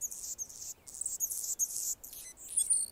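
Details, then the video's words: Anna's hummingbird singing on a branch in Golden Gate Park, San Francisco, California: thin, scratchy, very high buzzing phrases in quick bursts separated by short gaps, ending in sharper squeaky notes. "Anna's Hummingbird (Colibri) singing on a branch"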